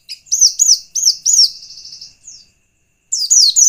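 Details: Lure song of a white-eye used to provoke rival white-eyes: four clear, arched, high chirps, a fading buzzy trill, a pause, then a new burst of quick sweeping notes.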